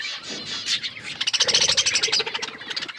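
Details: Budgies chirp over their food in a fast, rattling stream of clipped scratchy notes, loud and pulsing, with soft warbled calls at the start.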